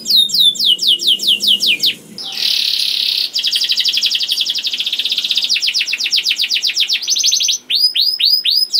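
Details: Young canary song played to get other birds singing: quick falling whistles, a long buzzy roll, an extended fast trill of repeated chirps, then loud arching whistled notes.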